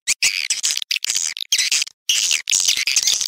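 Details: High rasping swiftlet chatter in choppy bursts, with hard clicks and brief pauses between the phrases.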